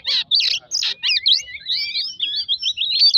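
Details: Oriental magpie-robin song for provoking a bird to sing: a few harsh bursts at the start, then a fast run of sweet whistled notes weaving up and down at a high pitch.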